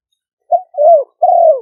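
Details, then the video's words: Decoy spotted dove in Thailand's Roi Et province, recorded live and calling to attract other doves. It gives a brief coo followed by two longer, smooth coos that droop at the end. No other sound is heard. "เสียงนกเขาใหญ่ คารม ปะทะ คารม"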